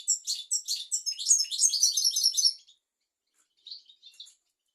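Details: Tutor song of a European goldfinch for training goldfinches and canaries: a fast run of bright, high twittering notes lasting over two seconds, then silence and a few soft, short chirps near the end.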